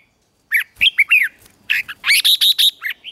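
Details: Red-whiskered bulbul in a morning singing session: after a short silence, a lively run of slurred whistles, then a steady series of five or six loud, evenly spaced chirped notes.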